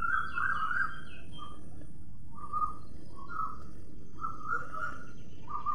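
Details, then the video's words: Parrot calls: short, harsh, slightly rising notes given in bursts with brief pauses between them, over steady low outdoor background noise. "Parrot. Video and sound."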